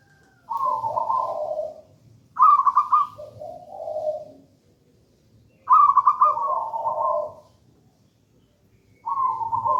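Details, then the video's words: A local zebra dove in full gedang rojo song, kept as a lure and master voice for doves that do not yet sing. Three clear rolling phrases, each a sharp quavering coo sliding into a lower purr, separated by silent gaps. "Perkutut lokal gedang rojo gacor merdu"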